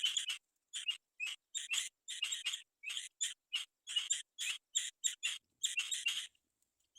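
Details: Black-winged kite chicks waiting for their mother to bring food: harsh, raspy, hissing screeches in short bursts, repeated about twice a second in a steady series, then stopping, with no other sounds.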